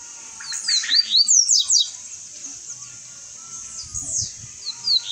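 A double-collared seedeater sings a fast run of high, sweeping whistled notes in bursts, with brief pauses between phrases and a faint low rumble behind.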